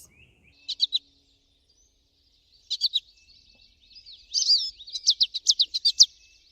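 American Goldfinch flight calls: short, high, chippy notes in quick clusters of three or four, like a quiet "potato chip", with a brief twittering run between.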